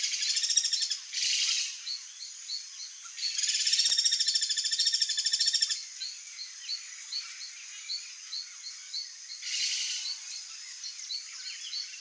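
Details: Wild ringed kingfisher giving loud grating rattles: a short burst, then a long rapid rattle of about two and a half seconds, and a later shorter one. Faint repeated high chirps continue in the background throughout.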